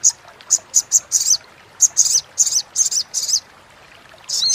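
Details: Crimson sunbird chattering call for training competition birds: high, harsh, buzzy bursts in a steady sequence of about a dozen notes, a short pause, then another raspy burst at the end.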